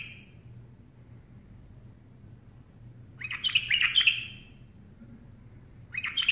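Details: Singing bulbul sitting on someone's hand: a long quiet gap, then a lively phrase of rapid chirped and warbled notes. Another phrase begins at the end. Faint hum throughout.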